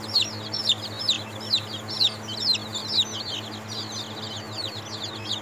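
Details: Seven-day-old baby chicks, several together, giving rapid high peeps that slide up and down, about two a second in irregular bursts, over a steady low hum.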